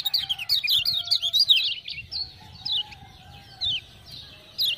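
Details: Lemon-bellied white-eye from Lombok, kept as a tutor bird, singing vigorously after hearing ciak-ciak prompting sounds: rapid high warbled notes in quick zigzag runs, a dense burst then spaced short phrases, with faint lower steady tones beneath.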